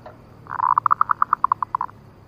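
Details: Zebra dove (Geopelia striata), lure call: used as a lure to attract other zebra doves.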